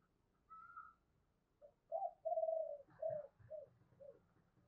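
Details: Spotted dove singing in the 'giọng thổ sấm' voice style, recorded faintly: a high brief note, then a run of short and drawn-out mellow coos, with a low rumble underneath.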